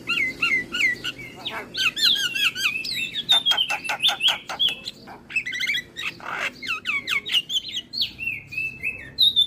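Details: Javan myna chatter used as a lure to make other starlings respond: wavering whistled phrases alternate with rapid harsh clicking bursts, then slurred rising and falling whistles in a busy, continuous stream.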